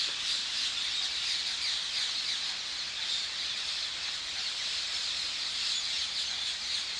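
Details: Several hundred rose-ringed parakeets gathered in the morning on the islet in the Hofvijver, The Hague, make a dense, unbroken wash of harsh, high screeching calls, many birds calling at once.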